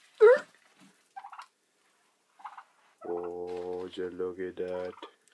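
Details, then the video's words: Turkeys in the morning: a few short clipped notes, then a low, rich, rattling gobble broken into several pulses near the end. "Turkey's in the morning"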